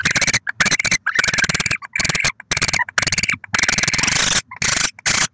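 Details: At a nest holding six eggs in Oceanside, California, December 2023, barn owls give long rasping, hissing screeches in rapid bursts of up to a second, separated by brief pauses, with no other sounds.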